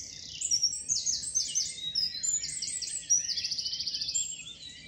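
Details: Male wren singing very loudly close by during the dawn chorus in Hembury woods, May 2020, letting other males know it is still around; a fast, high, sustained outpouring of trills and rattling notes ending in a rapid buzzy trill.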